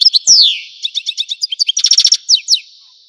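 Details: European goldfinch from Algeria singing: rapid tinkling notes, a long slurred downward whistle, then dense buzzy twittered trills and two more falling slurs, all high-pitched and clear.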